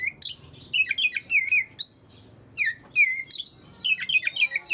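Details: Oriental magpie-robin singing to make reluctant magpie-robins join in: clear whistled notes sliding down, mixed with high squeaky flourishes, in bursts separated by brief pauses.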